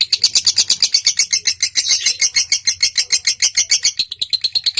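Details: Lovebird ngekek, a long chattering song meant to prompt other lovebirds to sing: dense, evenly spaced high chips running without a break, roughly seven per second, harsh and rattling throughout.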